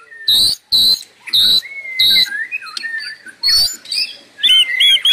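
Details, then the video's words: White-rumped shama singing nonstop: repeated harsh, buzzy bursts alternating with clear slurred whistles that rise and fall, ending in a quick run of bright, twisting notes. "Suara Burung Murai tiada henti"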